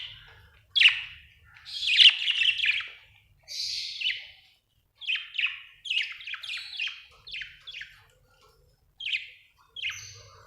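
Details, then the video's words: Happy budgie, an Australian bird, chirping in short scratchy bursts, roughly fifty notes a minute at an uneven pace, with sharp rising and falling chirps and brief silences. "happy budgie chirping sound"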